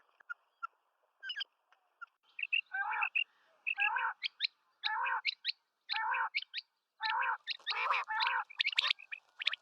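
Common quail calling in short, husky, rasping bursts about once a second, mixed with thin, higher chirping notes in a fairly quiet setting.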